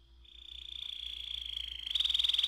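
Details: Canary, AF type, delivering a long roll: a sustained high trill that swells gradually from soft to loud, steady in pitch, then turns into a harsher, stronger rattling trill near the end.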